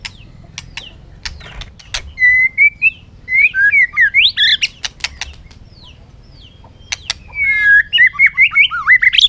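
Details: Contest-singing white-rumped shama on a sunny afternoon: sharp ticking clicks interspersed with bursts of quick warbled whistles, two main song phrases with pauses between.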